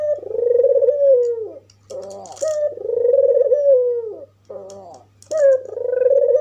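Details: Red-eyed white albino African collared dove calling to rile up other doves: long purring coos that fall at the end, broken by harsh buzzy stutters, three cycles in a row.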